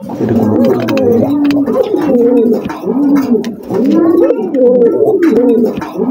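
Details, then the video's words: Farm pigeons giving deep, rounded coos, each a swelling and falling phrase, repeated roughly every second in overlapping runs, with faint tapping noises behind. "pigeon sound"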